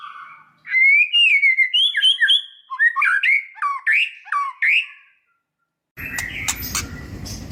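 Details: White-rumped shama (murai batu) lure song for training captive birds to sing: loud clear whistled phrases with rapid varied notes and slurred rising and falling syllables, then a burst of harsh noisy sound at the end.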